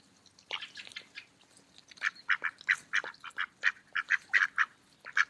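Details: A group of mallards eating in a park on an autumn day, with a rapid, uneven chatter of short nasal quacks, several per second and overlapping, above faint feeding clicks.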